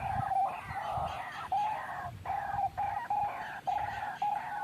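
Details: White-breasted waterhen calling on a trapping lure track: harsh, nasal croaking phrases with a steady tone underneath, broken by brief pauses roughly every second, over a low rumbling background.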